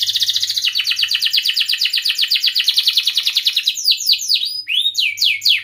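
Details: Canary in full song to get other canaries singing: a long fast rattling trill of repeated notes, then looping whistled sweeps near the end.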